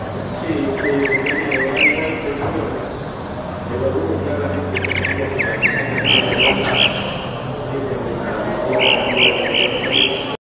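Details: Northern mockingbird singing near homes in or around Bogotá during quarantine: clusters of bright, rapidly repeated whistled notes in three bursts, with a low continuous hum and murmur of city background noise.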